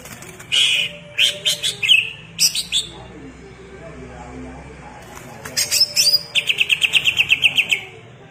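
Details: Greater green leafbird singing at full intensity, with bursts of sharp chirps and short whistled phrases, then a fast run of bright repeated notes, about seven a second, toward the end.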